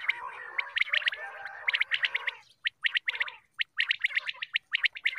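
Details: A group of quail calling in the morning, recorded for use in hunting: dense rapid chattering at first, then crisp, evenly spaced clipped notes in short clusters with brief silences between.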